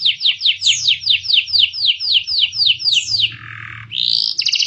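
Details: Canary tutor song in the high-and-low style for young birds learning and for silent canaries: fast downward sweeps about four per second, then a low buzzy note and a sharp high buzz, with a faint low hum.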